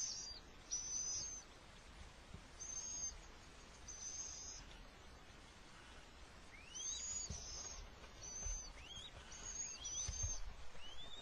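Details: Little owl, a male managing to bring food during an attack; scattered short rising whistled notes mixed with high, buzzy hissing bursts over faint background noise.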